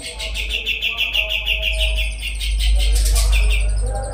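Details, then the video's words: Kapas tembak singing as a tutor bird for contest songbirds: a rapid, regular series of piercing high notes, about three per second, rising into a louder burst near the end, over a strong low rumble. "Kapas Tembak Gacor"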